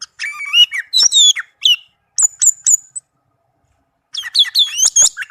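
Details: Tame orange-headed thrush in a cage pours out rich varied song, with warbled whistles at mixed pitches, short high notes, a pause, and a busy closing tangle of slurred phrases.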